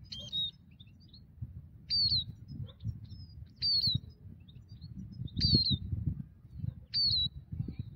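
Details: Migratory European goldfinch where a ground net is set: loud, high, downward-sliding whistled calls repeated about every one and a half seconds, five in all, with faint chirps between and low rustling noise.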